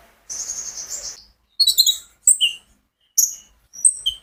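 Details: An owner's own sunbird, recorded directly as a prompt for other birds: a thin, sustained high buzzy note, then clusters of sharp twittering chips separated by silent pauses.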